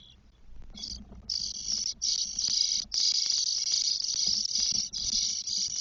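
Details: Four Spotless Starling nestlings, 12 days old, in a nest in Spain on 1 June 2022. Loud, harsh, high rasping starts up and runs almost without a break in long hissing bursts, with short gaps between them.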